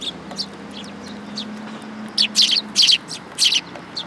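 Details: Tree sparrows arrive to be fed at a Tenmangu shrine, August 2022. Faint chirps in the first seconds, then a tight run of bright, harsh double chirps near the end over a low steady hum.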